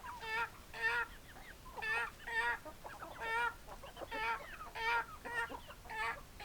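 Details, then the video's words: Chickens clucking: a steady series of short, harsh, buzzy clucks with stacked overtones, roughly one every half second to second, some paired, over a low background hiss. "Chicken Sounds Noises Hens Clucking Roosters Crowing"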